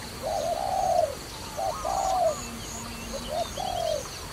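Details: Dove used for trapping, giving low cooing phrases: a short note followed by a longer, drawn-out coo, repeated three times, with faint high chirping of small birds behind.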